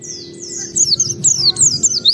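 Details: Close oriental white-eye song lure for other white-eyes: a quick series of shrill, very high notes slurring downward, about four per second.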